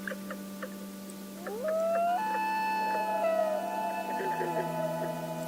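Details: A Common Loon calling unseen at night just in front of a canoe on a calm lake in Algonquin Park, Canada, in summer: long, mournful, slightly wavering notes that slide upward then hold for several seconds, over a low constant hum.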